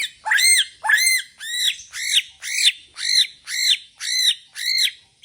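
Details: Caged white-rumped shama, Borneo type, singing in bowing style: a regular series of about nine bright arched whistled notes, one roughly every half second, each rising then falling, in a clean recording with no other sounds.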